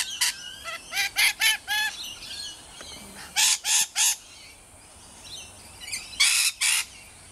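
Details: Rainbow lorikeets at Riverglade Reserve, NSW: loud, raspy screeches in quick runs of four or five, separated by pauses, with softer chatter between runs.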